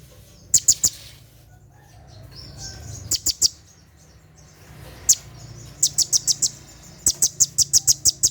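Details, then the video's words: Brown-throated sunbird (konin) at night giving its 'tembakan' shot-like song: sharp, very high metallic ticks in quick bursts of three, then a longer rapid run of clipped notes near the end, over a faint low hum. "SUARA TEMBAKAN KONIN SAAT DIMALAM HARI"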